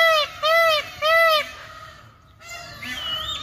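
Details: A dancing peacock gives three loud, arched, nasal wails in quick succession, each rising and then falling. A quieter, fainter call follows after a short pause.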